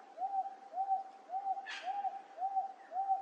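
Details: Close recording of a Wonga Pigeon at Wentworth Falls, Blue Mountains, New South Wales, Australia, late July 2024: six identical soft, arching hoots repeated roughly every half second in a monotonous run, with one brief rustling click midway.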